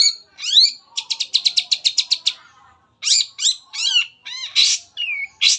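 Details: Long-tailed shrike in full song, used as a lure to get other shrikes singing: a fast regular series of about ten clipped notes, then sweeping whistles, harsh buzzes and rasping phrases.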